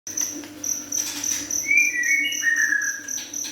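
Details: Juvenile white-rumped shama singing: after a pause, clear whistled notes slide and step between higher and lower pitches, set over a steady high insect-like ringing drone.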